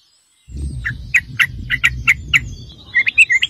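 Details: Sooty-headed bulbul calling as a lure for other bulbuls: evenly spaced short chirps about three per second, then a quicker bubbly phrase, over low rumble.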